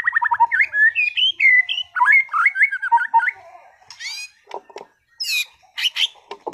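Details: White-rumped shama of contest class: a run of varied whistled notes jumping up and down, then harsh buzzy squawks and sharp high chips alternating with short gaps.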